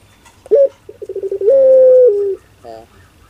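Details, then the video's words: Barbary dove cooing: a short low note, a quick stuttering run, then a long drawn-out hollow coo that drops in pitch at the end. "Suara LUCU PUTER Pelung"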